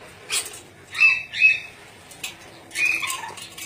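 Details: Ornate lorikeet, a parrot endemic to Sulawesi, giving short harsh squawks with brief tonal notes, three or four bursts spaced irregularly about half a second to a second apart.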